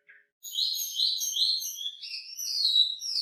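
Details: Wambi singing energetically with a rich, varied fill-in song: a short low chirp, then a continuous run of high, slurred warbling phrases that rise and fall without pause.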